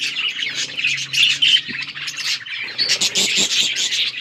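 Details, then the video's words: Budgerigars chattering as they play together, recorded October 30, 2023; continuous warbling chirps with a brief lull mid-way, then busier chatter, a low hum behind. "Budgies chirping sounds and playing with each other"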